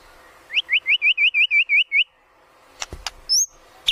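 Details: White-rumped shama lure song for training birds: a series of nine clear upslurred whistles about five per second, followed by silence, a few clicks and a single high whistle.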